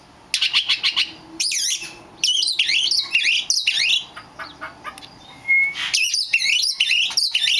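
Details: A rare black magpie robin, apparently kept as a pet, sings a rich, varied song of loud whistled phrases, sliding and warbled notes, delivered in bursts separated by short pauses, with a few harsh chirps mixed in.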